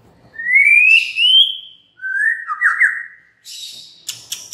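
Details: Lure song from a white-rumped shama to stir other shamas into song: two long sweet rising whistles, a lower warbled phrase, then hissing buzzy notes and sharp ticks.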